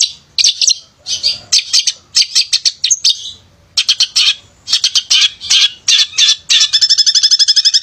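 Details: Male long-tailed shrike singing to spur silent shrikes into song: bursts of quick high chirps and trills separated by a short pause, ending in a fast, even rattling series.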